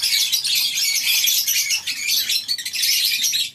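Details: Many lovebirds in a colony aviary on a breeding farm on a morning: a dense, continuous chorus of shrill, high chirps and squawks from numerous birds calling at once.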